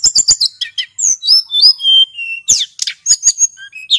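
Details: A male hill blue flycatcher sings a rolling lure song. Sharp chips open into smooth falling whistles, then more buzzy bursts and quick clicks follow in an uneven, rapid rhythm.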